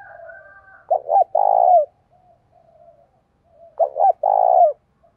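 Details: Challenge coos of a spotted dove in the 'giọng đồng thổ' style: two quick soft notes followed by a longer rolling, slightly falling coo, the whole phrase repeated about three seconds later, with faint low cooing between.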